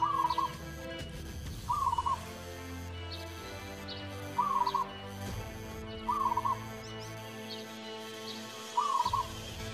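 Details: {'caption': 'Local Javanese zebra dove (perkutut) singing: five short, rapid, bubbling cooing phrases at mid pitch, each under a second, spaced about two seconds apart, over a steady humming background.'}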